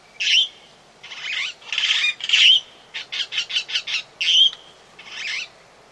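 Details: Long-tailed glossy starling calling at Oyster Creek, Coast Road, The Gambia: harsh, grating squawks mixed with a few clear whistled notes, including a quick chattering run of short bursts; little else is heard.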